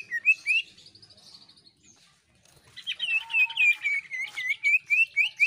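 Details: Greater green leafbird (cucak ijo) in vigorous jeritan shrieking song, meant to spur other birds into singing: brief chatter, a pause, then a fast run of bright, high whistled slurs repeated several times a second.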